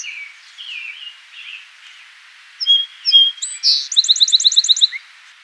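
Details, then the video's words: Song sparrow song over a steady hiss: soft slurred notes at first, then louder high whistles, a fast rattling trill of about eight notes, and a brief lower closing note. "O canto do Tico tico musical"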